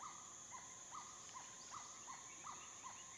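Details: A Chestnut-winged cuckoo at a small waterhole in a dry stream bed in the dry season, Phnom Prich Wildlife Sanctuary, Mondulkiri, Cambodia, 7 March 2016, mid-afternoon, gives a run of short, arched, slightly harsh notes, two or three a second, over steady high insect hiss.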